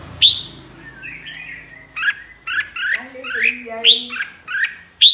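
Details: Flock-leader red-whiskered bulbul giving "ché" song. Quick clusters of sharp, sweeping whistled notes arrive in uneven bursts, several ending in piercing high accents. A low background murmur is also heard.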